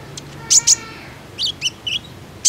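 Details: Common iora lure call used to prompt other ioras to sing: a few sharp, very high chirps in quick pairs, then brief twisting whistled notes and one more high chirp against a quiet hiss.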